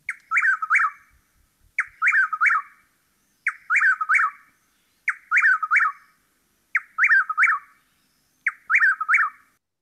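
A Chuck-will's-widow repeats its whistled song about every second and a half: a soft opening note, then three emphatic notes. The background is quiet.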